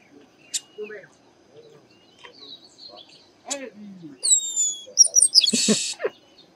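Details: Chestnut-capped blackbird from the Bahia sertão, northeastern Brazil: after scattered quiet clicks and low notes, bright descending whistles lead into a loud buzzy burst.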